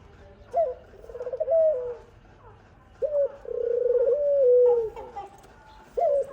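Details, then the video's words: Mother dove feeding her baby; the young gives long level whistles, some broken into fast stuttering pulses, starting with abrupt upward flicks, in three phrases. "Khumra bird mother feeding her baby | khumra birds voice | dove birds sound"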